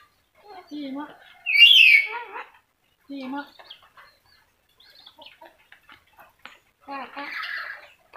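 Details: Yellow-crested cockatoo that can talk utters short, voiced, word-like syllables in separate bursts, with one loud rasping shriek early on and a scratchy squawk near the end, in otherwise quiet surroundings.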